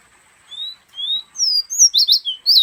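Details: Caged fire red, a Guyanese pet bird, sitting in the hand and giving a few thin drawn-out whistles that build into rapid, bright, chopped notes at the end. There is no background noise.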